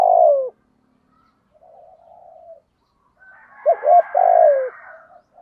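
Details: Decoy spotted dove with the 'thổ cục đỉnh' voice, used to provoke wild doves. The tail of one coo is followed by soft low murmurs, then a full phrase: two short hoots and a long descending note over a faint higher hum.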